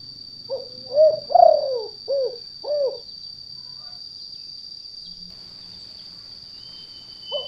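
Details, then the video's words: Spotted dove calling in the 'kuk 2' lure style for trapping in gardens and fields. A single phrase of five mellow coos, the second longest and falling, then quiet with a faint start of another note, plus a steady high hum. "Suara Pikat Tekukur Kuk 2"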